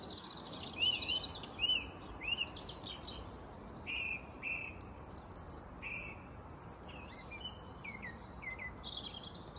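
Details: A song thrush by a canal where a narrowboat is moored sings loud, varied whistled phrases, each repeated two or three times before changing, over a steady low rushing background.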